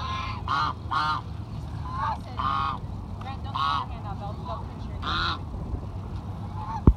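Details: Geese give nasal honks in bursts of two or three while being fed, over a low hum; a sharp knock sounds at the very end.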